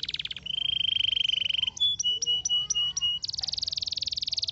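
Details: Canary delivering a long level whistled tone, a series of short sharp upslurred notes, then a dense rapid rattling trill.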